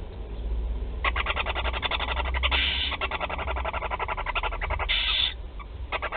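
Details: Barn owl nest at Théding on 16 July 2020, four chicks receiving food: dense, rapid, scratchy pulsed chattering throughout, interrupted by two louder drawn-out hissing bursts, with a low rumbling undertone.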